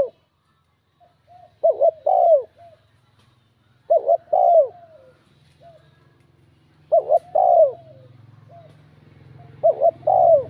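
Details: Bell-toned spotted dove calling to stir up rival males. Four separate bursts of paired coos, each a brief note then a fuller falling one, come every few seconds. Softer single notes sit between them, over a faint low hum.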